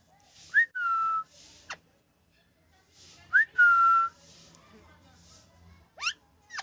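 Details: A pet rescued rose-ringed parakeet, described as very happy, whistles twice about three seconds apart, a quick rising note then a long steady tone, followed by sharp downward whistles.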